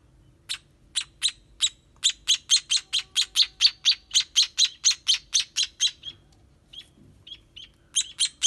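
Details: Chicks of a sparrow beg during feeding with a quickening row of bright, high chirps, then fall nearly quiet with a few soft notes before the chirping resumes.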